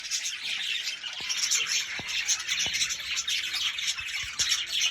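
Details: Budgerigars chattering: a dense, continuous stream of high warbled chirps and squeaky notes with a few sharp clicks, several birds overlapping throughout.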